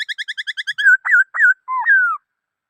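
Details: Black-throated laughingthrush song: a fast series of eight short clear whistled notes, then loud looping warbled whistles that rise and fall, ending in a long slurred descending note; no other sounds.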